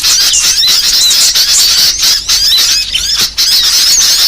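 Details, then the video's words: Varied burcil song used to train songbirds: rapid, high squeaky whistles and twitters run together without pause, a busy bright chatter through the whole stretch. "MASTERAN BURCIL VARIASI"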